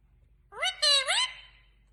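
A rose-ringed parakeet speaks a quick three-syllable word in a clear, nasal, human-like voice, the pitch sliding upward, in a quiet room.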